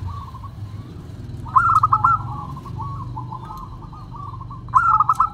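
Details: Zebra dove, a local bird singing briskly in the clear 'crystal voice' manner, gives two sudden bursts of quick staccato coos over a steady murmur of softer, lower cooing and faint background hum.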